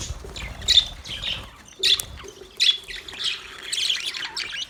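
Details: Male budgies giving scattered squawky chirps, sharp high bursts roughly every second, ending in a longer stretch of rapid warbling chatter, over a faint steady low tone.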